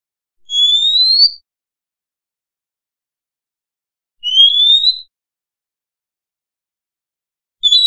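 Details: Oriental magpie-robin (Copsychus saularis) song, volume boosted for clarity: clear, high, rising whistles, each under a second long, repeated about every three and a half seconds against a silent background.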